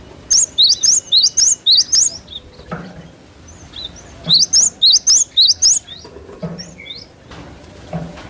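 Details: Lively cinereous tit song on a lure recording for cage-bird training: two long series of about seven sharp, high, rising notes each, followed by scattered soft chirps over a low hum.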